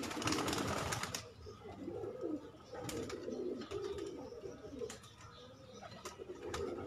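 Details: Domestic pigeons in a loft, several cooing at once. Soft rumbling coos rise and fall continuously. A burst of wing clatter opens the recording and sharp taps recur.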